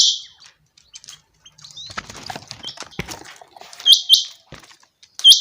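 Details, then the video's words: Changa quail call heard at the start and end as high hooked whistles with buzzy tails, with a stretch of rustling and scraping noise between them. "Brand new sound of changa quail /Chinga batair audio awaz /Chinga batair ki awaz"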